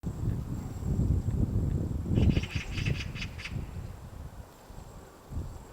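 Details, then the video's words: White-backed woodpecker chiselling a nest hole in a tree at Gongsanseong Fortress, Gongju, Republic of Korea, on a March morning: irregular dull knocks, about two per second, with a brief burst of five sharper rapid clicks midway. "둥지를 파는 큰오색딱다구리 White-backed woodpecker digging a nest"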